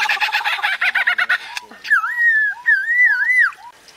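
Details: Bird imitating a baby's crying: a rapid burst of harsh pulsed notes, then drawn-out wavering whistled wails that rise and fall, like sobbing cries.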